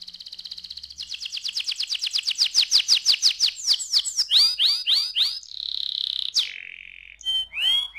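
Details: Canary song meant to set young canaries singing: an accelerating rolling trill, swooping curved notes, a held whistle dropping to a lower tone, then scattered sharp chirps.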